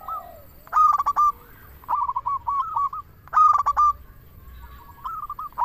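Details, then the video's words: Zebra dove of the local type giving its lure song: bursts of quick stuttered cooing notes, loud rolling phrases alternating with softer even runs, repeated every couple of seconds. "Perkutut lokal gacor suara paling ampuh untuk pancingan burung perkutut agar bunyi"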